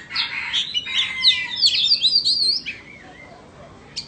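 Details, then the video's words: Contest between a Vietnamese and an Indonesian Oriental magpie-robin: a loud run of rich varied whistles, scratchy notes and rising and falling slurs for about two and a half seconds, then near quiet with one last high note. "Chòe than VN đấu với Chòe Than Indo"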